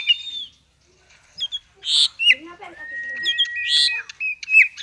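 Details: Oriental magpie-robin in the 'konslet' style, used to prompt lazy birds into singing: a long level whistle and sliding high notes broken by harsh squawky bursts and short chips, with brief silent gaps.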